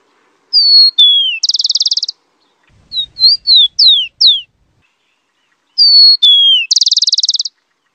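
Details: Tico-tico, the rufous-collared sparrow, giving two songs of two slurred whistles and a rapid buzzing trill, with a run of short falling chip notes between them.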